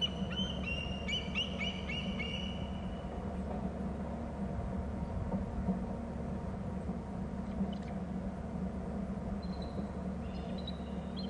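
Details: Bald eagle at a Hornby Island nest territory, possibly 21 January around 14:30, with two eagles flying off and calling a lot: quick thin, high chittering notes, then fainter piping calls near the end, over low wind rumble.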